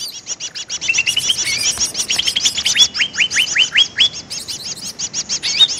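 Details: Greater green leafbird lure call: rapid chattering chirps repeated about twice per second, then a run of loud, sharp downslurred whistles in the middle, with high overlapping twitters throughout.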